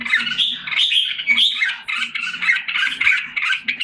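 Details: Red-whiskered bulbul in captivity in Singapore, filmed 7 July 2017 as it recovers form, gives a rapid flow of chirping, warbling notes in short linked phrases with a slight dip mid-way, over a faint indoor hum.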